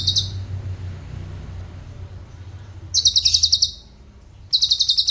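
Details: Mimicking black-crested bulbul, recorded as a tutor: the end of one shrill rapid trill, a long quiet stretch with low background hum, then two more quick, tightly spaced high trills.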